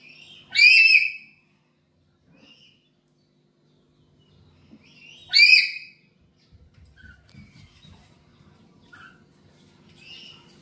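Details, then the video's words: Two loud, ragged screeches about five seconds apart from a black-capped lory kept at home, a lure recording for training birds. Faint short whistles and light rustling fill the gaps. "Pancingan Burung Nuri Kepala Hitam di rumah"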